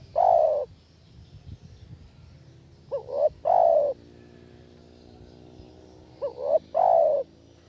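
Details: Spotted dove luring call for catching doves. Deep mellow coo phrases, each a long note followed after a pause by a quick rising pair and another long note, repeat about every three seconds over a quiet background.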